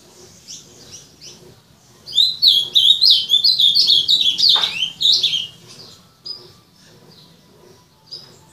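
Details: Azulão (ultramarine grosbeak) bursts into a rich, rapid warbling phrase of high sweeping and chirped notes for about three seconds, preceded and followed by softer scattered chirps over a low background hum.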